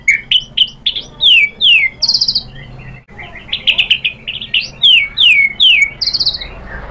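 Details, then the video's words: White-rumped shama song: clear whistled downslurred notes repeated in quick series, with higher buzzy bursts between, loud and varied, little background noise. "PANCINGAN MURAI BATU biar EMOSI NYAUT jadi GACOR BONGKAR ISIAN | SHAMA BIRD"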